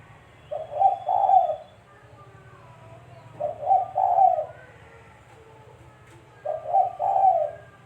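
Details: Spotted dove call used as trapping bait: three regular hoarse cooing phrases about three seconds apart, each a short note followed by two longer coos, over a low steady hum.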